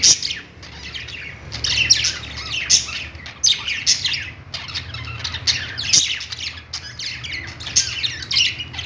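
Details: Budgies singing on a perch in a pet store: a dense flock chorus of high, scratchy chirps and warbles rising and falling in bursts throughout, with a faint low hum.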